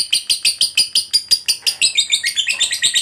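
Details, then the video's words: Lovebird giving a long ngekek chatter, meant to prompt other lovebirds to sing: fast rasping notes about three per second, the later notes breaking into quicker, more jumbled chirps. "Suara Burung Lovebird DURASI PANJANG, TERBUKTI Paling Cocok Buat Pancingan Labet Agar Cepat Ngekek"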